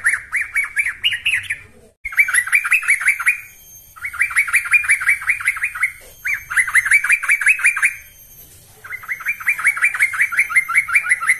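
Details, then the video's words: Yellow-vented bulbul lure song: five energetic phrases of rapid bubbling notes, each lasting around one and a half seconds, separated by short regular gaps. "Ini Baru Pancingan Trucuk Sesungguhnya || Burung TRUCUKAN GACOR"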